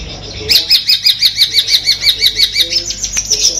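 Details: Madura long-tailed shrike, a Peterpan-type kept songbird with Armagedon material, repeating a bright, wavering two-part whistled chirp about three times a second in a steady rhythmic series.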